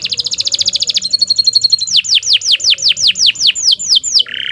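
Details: Canary singing a long song for training: a fast rattling trill, a high buzzy series, then spaced downward-sweeping whistles, closing with a low buzzy note.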